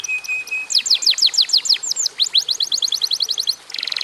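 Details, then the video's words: A brief canary phrase: a flat held tone, then a quick volley of downward-swept whistles sliding into a fast chattering trill and a closing harsh buzz. "kenari gacor durasi pendek cocok buat pancingan kenarimana pun lansung Yau gacor"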